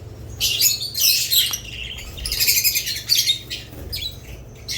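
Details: Budgerigars chirping in a series of bright, scratchy high bursts of chatter with short pauses between them, against a low steady hum.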